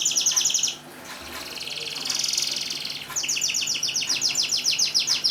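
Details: A lively singing canary, played to get silent canaries singing: a short burst of high chopped notes, a muffled stretch, then a steady run of fast repeated high notes.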